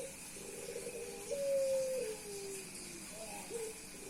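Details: Male Puter Pelung dove cooing nonstop for a female to show his appeal; one long mid-pitched tone held steady then gliding lower, followed by a short rising note, over steady background hiss.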